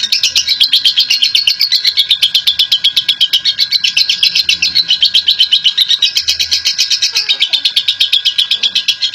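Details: Lovebird described as a national champion, singing its long chattering 'ngekek panjang' style: a shrill, rapid chatter of about four notes per second, sustained without a break throughout and steady in loudness.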